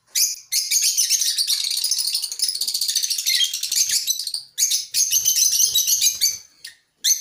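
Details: A colony of African lovebirds chattering together. The calls are shrill, dense and overlapping, with rapid squeaky notes that run almost without a break. Brief pauses come near four and a half seconds and again near six and a half seconds.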